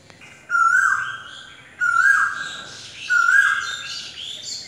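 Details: Asian koel, or kokil, singing: three loud, clean whistled notes, each starting abruptly and sliding down, spaced about 1.3 seconds apart, with other small birds chattering higher up.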